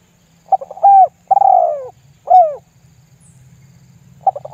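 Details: Spotted dove lambung guk lure call, played to stir other doves into calling. Soft stuttering notes, an even coo, a long downward-sliding coo and a short falling note, followed by quiet and the start of another stammer.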